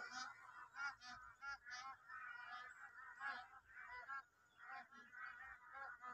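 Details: Large flock of Bar-headed geese (Anser indicus) in Kaziranga National Park's Eastern Range, migratory wintering birds, keeping up a steady chorus of nasal, overlapping honks, several each second, with no clear pause between callers.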